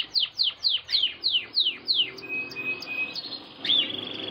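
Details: Male canary in breeding season singing vigorously to win over a red female: a fast series of high descending swept notes about four per second, then thin sustained whistles and a buzzy rolling trill.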